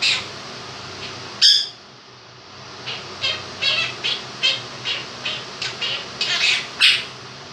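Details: Two-year-old male pet Quaker parrot indoors singing his version of 'If You're Happy and You Know It', a run of about ten short, bright, rhythmic do-do-do syllables after an opening squawk, over a steady fan hum.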